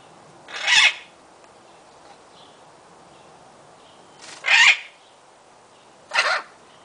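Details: Captive Illiger's macaw (Primolius maracana) in an aviary cage giving excited screams: three harsh, raspy screeches, the first alone and the last two about two seconds apart, with quiet background between.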